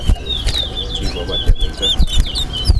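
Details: Chestnut-bellied seed finch (towa towa) singing in a whistling competition at Alligator Pond, Guyana, while counts are called: quick, high, sweet whistled phrases and slurred notes with hardly a break, over low thumps and background voices.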